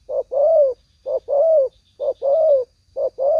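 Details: Spotted dove (tekukur) heard during a lure-trapping session, with birds drawn in by a speaker: low coos in pairs, a short note then a longer wavering one, repeated about once a second, over a faint high whine.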